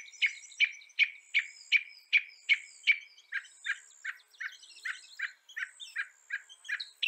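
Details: North American northern mockingbird (Mimus polyglottos) repeating a crisp chirp steadily about every third of a second, then switching to a different, fuller repeated note for the rest of the series.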